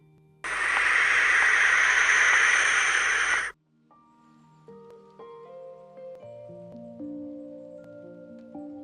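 A Barn Owl gives one long, harsh, hissing screech lasting about three seconds, followed by gentle plucked-note music.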